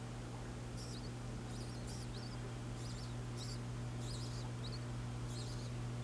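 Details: Adult birds with their babies chirping in the background: short, high, thin chirps come in small bursts about every half second to second. A steady low hum runs underneath throughout.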